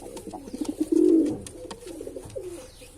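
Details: Single deep, rolling coo from a male pigeon, preceded by soft broken pulses and trailing off into quieter murmuring notes, against faint indoor background noise.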